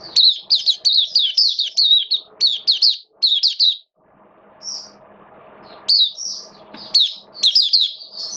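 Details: Oriental white-eye kept as a caged songbird, in wet rainy weather on 8 October 2022, delivering quick bursts of high, thin, twittering notes repeated in rhythmic groups, a pause midway, then more warbling phrases against faint room hum.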